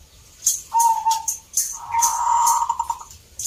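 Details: Zebra dove singing at the Salatiga contest, Central Java, Indonesia: a short coo followed by a longer, vibrating, drawn-out coo, with sharp ticks in the background.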